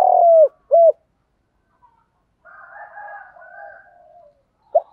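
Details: Spotted dove 'gù đấu' fighting coo, played to attract wild doves; two low hollow coos open the passage, followed by a quiet wash of faint chirping and one final brief note.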